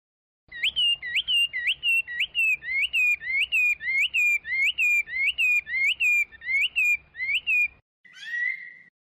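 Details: Chinese hwamei singing a steady series of sharply rising, hooked whistled notes repeated almost four times a second for about seven seconds, ending with a short harsh buzzy note.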